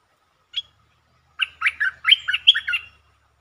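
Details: Streak-eared bulbul song from 13 February 2023, in a style with many phrases, long songs and doubled songs. A single short chip, then a rapid run of warbling, slurred chattering notes lasting about one and a half seconds.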